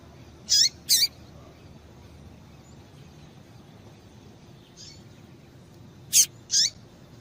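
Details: Female double-collared seedeater piping used to get caged males singing: two high, quick descending chirps, a long pause with one faint note, then two more sharp chirps near the end; quiet low hum beneath.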